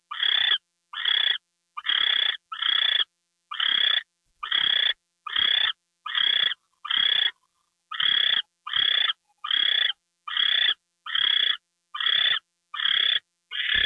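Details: Owl heard at 10:43 PM on February 2, 2013, as a gopher is delivered: a long run of about seventeen raspy, noisy screeches, roughly one per second, with a short pause near the middle.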